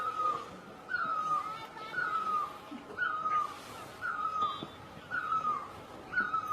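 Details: Great barbet in Asia, also known in Thai as นกตั้งล้อ, calling from a distance: a fairly faint, mellow two-part note, rising then falling, repeated about once a second over a soft background hiss.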